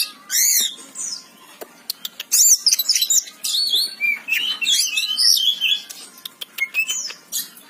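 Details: Varied song of an Oriental magpie-robin, known locally as kacer: looping high whistles, sharp clicks, and crowded bursts of scratchy, warbled notes in quick succession.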